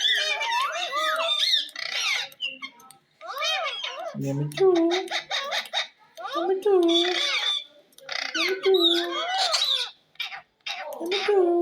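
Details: Talking ring-necked parakeet kept as a pet, producing speech-like babble with nasal, voice-like syllables and higher squeaky notes, phrases repeated in bursts with brief gaps; no other sounds stand out.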